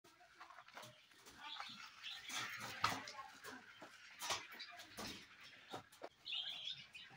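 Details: Cockatiels in a natural setup on a farm chirp and screech in short overlapping bursts, several birds calling at once in a busy, steady chatter.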